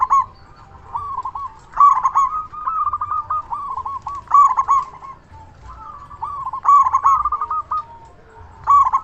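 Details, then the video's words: Local zebra dove, a loud, persistent caller used as a lure to make other zebra doves answer and as a tutor for quiet birds. It gives rolling, stuttering mid-pitched coos in bursts of several quick notes, repeating every couple of seconds, over a low background hum. "Perkutut Lokal Gacor SUARA BESAR Ahlinya Bikin Semua Burung Perkutut Langsung Nyaut"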